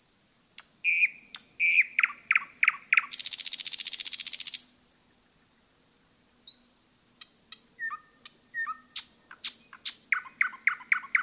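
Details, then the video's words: Common nightingale in forest song: piping notes and clicks lead into a long dense buzzing rattle lasting about two seconds, then after a pause thin whistles, paired liquid notes and a run of sharp clicking strokes. "пение СОЛОВЬЯ в лесу"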